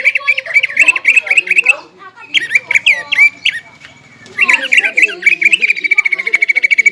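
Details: Greater green leafbird song used as a lure to anger a rival leafbird, packed with copied phrases; bursts of fast chattering notes, sharp upslurred whistles after a pause, ending in a quick even trill.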